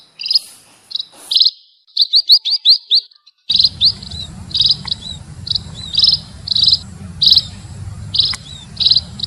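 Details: Munia song: bright chirps near high pitch in short clustered bursts, some rapid doubled notes, then steadier repeated chirps over a low rumbling background hum in the second half.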